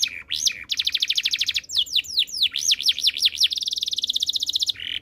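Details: Canary song of quick repeated high notes, arching swooped whistles in series, then a long even rapid trill and a final lower rolling phrase.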